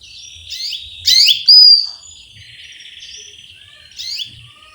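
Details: Chirps from a female canary calling a male: a pair of loud, rising-falling chirps and a clear whistled note, followed by a long, buzzy twittering trill and one more chirp.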